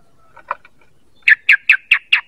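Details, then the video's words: Sooty-headed bulbul call used to lure birds: a few soft chirps, then five loud, evenly spaced bright notes that dip slightly in pitch, each about a fifth of a second apart. "Suara PANGGILAN dan pikat ampuh burung KUTILANG"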